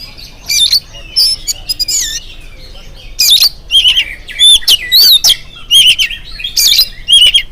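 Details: Morning song of an oriental magpie-robin, used to prompt other birds to join in: loud, varied phrases of sweet wavering whistles mixed with harsh scratchy bursts, delivered in quick separate spurts with brief pauses.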